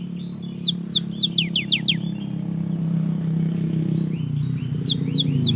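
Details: Young cinereous tit singing actively, used to prompt lazy young birds to sing: two bursts of quick, descending high whistled notes, about four per burst, separated by a pause, over a steady low engine-like rumble.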